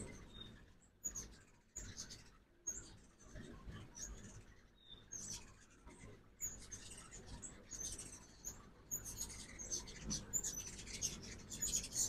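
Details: Fall-migrating ruby-throated hummingbirds at a backyard feeder in Oxford, Mississippi, in the morning; high, thin chips scattered throughout, growing busier into rapid twittering toward the end, with light background noise.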